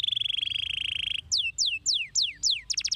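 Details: Canary singing to draw answers from other canaries: a long, steady rolling trill, then five clear downslurred whistles and a rapid closing burst of short notes.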